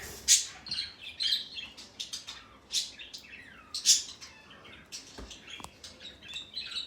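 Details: A male pet parrot calling in loud, piercing chirps mixed with short warbled slurs and harsh squeaks, in irregular bursts, with a couple of faint knocks.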